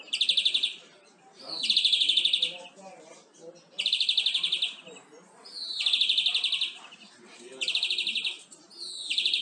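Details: Greenfinch song played to tutor captive birds. Loud bursts of fast, even trilling repeat roughly every two seconds, five phrases in all, with soft twittering in the gaps.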